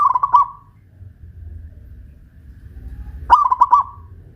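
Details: Caged zebra dove of local Pajajaran stock in Kuningan, West Java, sings from a hoisting pole: two bubbling phrases of rapid clipped coos about three seconds apart over soft low background noise.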